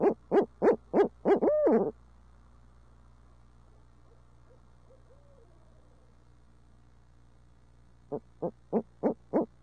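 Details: Barred owl hooting in the city of Tulsa: a fast run of low hoots ending in a long, arched, drawn-out note, then a quiet pause before another quick series begins. Faint hum throughout.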